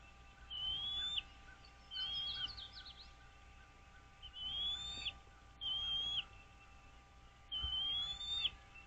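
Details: Wild American bald eagles calling at their nest on Dale Hollow Lake, Kentucky-Tennessee state line, nest camera, 09.04.2023 at 08:29: five piercing, high whistled calls with a soft downward flick, spaced one to two seconds apart, over a steady hum.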